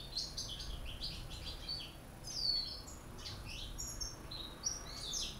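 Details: Caged European goldfinch from Corsica, one of several birds including one from North Africa and a young one from Spain, singing a rapid twittering song of high bright chirps and short liquid trills in quick bursts, with faint low background hum.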